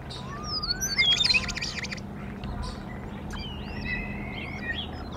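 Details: Wild bald eagles at their Decorah nest early in the morning, the female facing off beak to beak with the male and asserting dominance; a brief, loud burst of rapid high chittering notes, then thinner whistles and other birds around.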